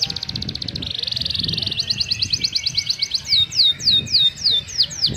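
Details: A kept canary sings in high, rapid tours: a fast buzzy rattle, a smoother rolling trill, then a run of sharp down-slurred whistles about three per second.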